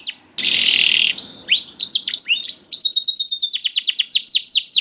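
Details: Young canary song used as a lure to get reluctant canaries to sing: a harsh buzzy trill, then rapid series of descending high whistled sweeps and fast repeated notes.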